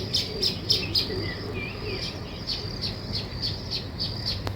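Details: Weaver birds building a nest: short high chirps repeated about four times a second, with a few lower sliding notes mid-clip, over a steady insect-like hum and low background rumble.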